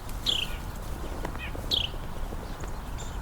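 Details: A Carolina Wren, foraging on the ground by a creek bank in winter during a Christmas Bird Count, approaches the recorder and gives two short, high, downslurred peep notes about 1.5 seconds apart over low rumble and faint clicks.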